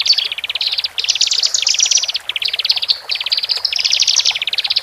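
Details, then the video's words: Male and female Horsfield's bush larks singing in captivity, a lure for newly separated cage birds; dense high trills in unbroken runs of rapid ticking notes, with brief pauses between phrases. "Pancingan Branjangan Jantan Dan Betina"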